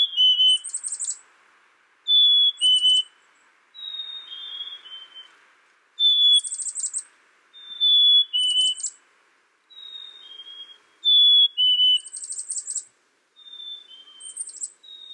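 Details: Black-capped chickadee alternating clean two-note whistles with harsh buzzy dee-dee bursts, the pattern cycling roughly every two to three seconds over a faint hiss.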